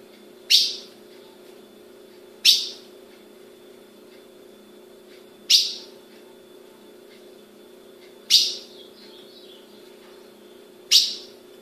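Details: A captive-bred female ultramarine grosbeak in Brazil gives five sharp, high metallic chips, spaced unevenly two to three seconds apart, over a faint low hum.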